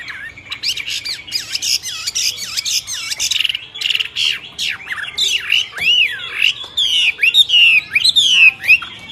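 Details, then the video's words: Myna song opening with buzzy chatter and dipping whistles, then bright looping slurs and quick rising-falling whistles that grow louder toward the close. "طيور البرية غريبة التغريد و من بينهم طائر المينا"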